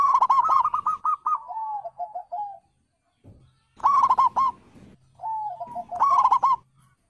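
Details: Wild and Bangkok-type zebra doves whose calls are meant to set silent birds singing: bursts of bright rolling coos, each followed by softer descending trills, with a pause mid-way and a low hum beneath.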